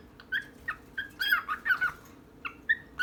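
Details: A female and male pet bird: spaced, clear chirps roughly every third of a second, interrupted midway by a short cluster of louder, buzzier warbling notes, then single chirps again.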